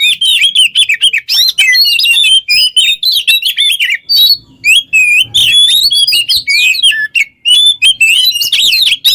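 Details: Oriental magpie-robin singing vigorously, a model for training other songbirds: fast varied phrases of looping whistles and scratchy notes, a short dip near four seconds, then renewed rich warbling.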